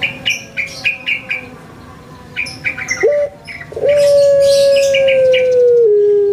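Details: Caged Barbary dove, known in Java, Indonesia as puter pelung: a brief coo near three seconds, then a long, steady, drawn-out hooting note that sinks slightly at the end, preceded by a series of small bright chirps from other birds.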